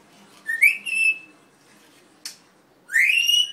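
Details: Pet red-tailed grey parrot indoors gives two clear, rising whistles with a brief held note between and a sharp click midway, in a quiet room.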